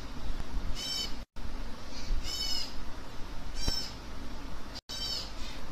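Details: Hand-fed African grey parrot chicks give hoarse, buzzy begging squawks in short bursts, four in under six seconds, with brief dropouts and a low rumbling background.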